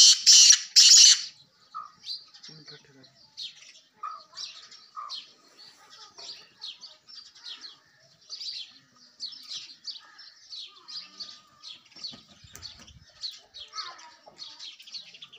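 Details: Sindhi black francolin (kala tetar) call used to attract francolins: two loud, harsh, scratchy bursts open the recording, followed by a long stretch of thin chirps and twitters from many small birds in the background.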